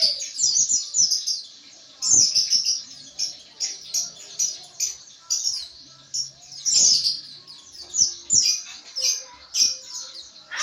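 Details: White-eye (pleci) chattering in ngriwik style as training therapy: almost nonstop high, fast twitters in short clustered bursts across the whole stretch, with faint low clicks.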